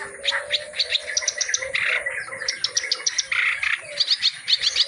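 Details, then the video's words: Reed warbler (kerak basi) in lively full song, a busy stream of rapid chattering and scratchy notes with sharp high chips and short harsh bursts, packed closely together with hardly a pause. "KICAU BURUNG KERAK BASI GACOR ISIAN FULL MATERI"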